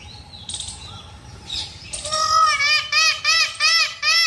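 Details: Indian peafowl calling: after two seconds of faint background chirps, a loud series of nasal, harmonic-rich wailing notes repeats about every half second, each slightly arched in pitch.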